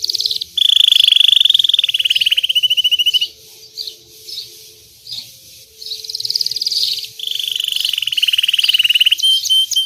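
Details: Differentiated white Belgian canary in loud song: long, rapid rolling trills held on a steady pitch for two to three seconds each, separated by quieter high twitters, with a faint steady low hum.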